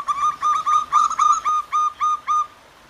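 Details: Wild zebra dove pair, male and female calling back and forth near gently flowing water at morning: a steady series of about ten clear whistled notes, evenly spaced, fading out at the end.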